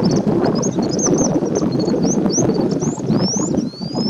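Indian bush lark display: thin, high whistled notes and rising slurs, repeated every half second or so, over a loud low rumble of wind or traffic.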